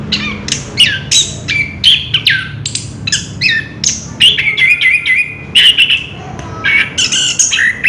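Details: Orange-headed thrush pouring out continuous ngerol song: sharp chirps and clicks in fast succession mixed with sustained whistled trills, steady and energetic throughout, with a soft low hum in the background.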